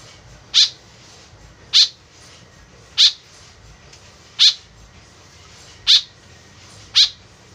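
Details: Six short, rasping calls from an actively calling white-breasted woodswallow, used as a lure, repeated every one to one and a half seconds over quiet background hiss.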